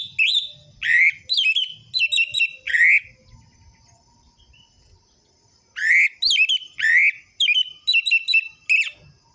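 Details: Vigorous orange-headed thrush song from lure audio for caged birds that are slow to sing. Loud upswept whistles alternate with rapid twittering chips in two long bursts, separated by a quiet gap.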